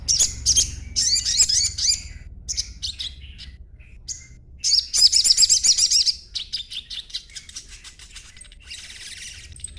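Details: Young crimson sunbird chattering, still green-plumaged, played so other sunbirds will answer; two bursts of fast, shrill repeated notes separated by sparse chips, tailing off into softer, scratchy high twitters.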